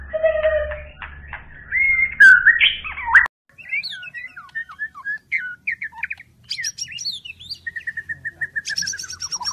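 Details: White-rumped shama song opening with a steady low whistle and loud twisting notes, then a rapid string of short chipped and warbled notes, a long even whistle, and a final burst of high rasping notes. A faint low hum sits under the start.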